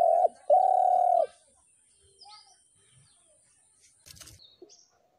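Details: Spotted dove giving two low coos, a short one then a longer level one, followed by near silence with faint bird chirps and a brief rustle.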